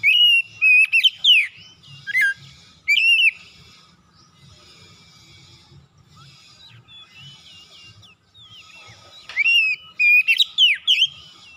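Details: Oriental magpie-robin singing in the morning as a lure for reluctant kacer birds. Bursts of rich whistled phrases, sweeping notes and sharp chips are set apart by long quiet stretches, with a soft, steady background hum.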